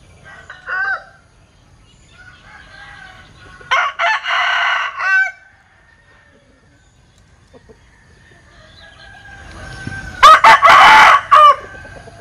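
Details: Linh Kê rooster producing odd crows: a short note near the start, a rough crow of over a second mid-way with stuttering pieces, then a louder choppy crow near the end over low rumbling.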